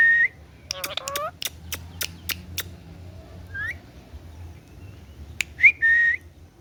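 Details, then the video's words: Green ringneck parrot talking: it opens and closes with a level whistle, with nasal, voice-like syllables and a run of sharp clicks in between, over quiet room noise. "Talking Parrot Clear Sound"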